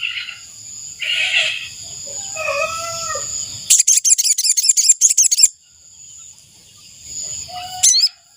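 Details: Ashy tailorbird call used as a decoy to lure wild birds: a fast burst of about a dozen sharp, high, ticking notes lasting under two seconds, with steady high insect-like drones and some softer chirps before and after.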